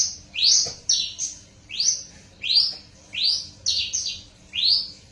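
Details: Hybrid Horsfield's bush lark, a cross of a parfa male and a Java female, singing loud upswept whistled notes that rise then level off high, in paired bursts about every second, over faint low background hum.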